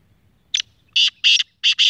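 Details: Young speeder black francolin aged six months calling in short-cut style: a thin harsh opener, then two long rasping notes and a fast final pair of grating bursts.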